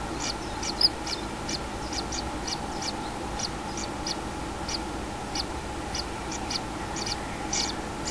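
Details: Common kingfisher at its nest on 6 July 2016, likely a young chick, giving short, thin, high-pitched notes repeated two or three times a second over a steady background hum.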